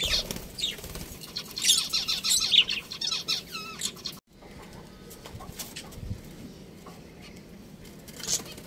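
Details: A budgerigar breeding pair in a family group: busy high chirping and warbled twitters fill the first half, then fade to quieter sparse chirps with a faint low hum behind.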